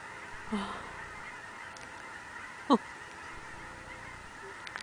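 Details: Migrating geese in gaggles on Sauvie Island in October 2012: a soft low honk, then a single loud, sharp honk near the middle, over a steady background hum and faint distant calls.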